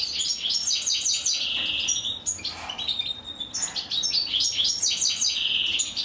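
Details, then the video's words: Chicks of the European goldfinch begging as the female feeds them, loud high stuttering chirp series in two bursts separated by a short softer gap. "أنثى الحسون وهي تطعم فراخها"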